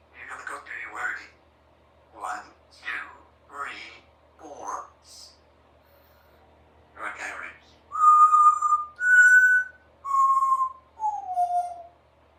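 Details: Three-year-old female Congo African grey parrot in a country home practising words and sounds: a run of chattered syllables followed by four loud clear whistled notes, rising then falling in pitch.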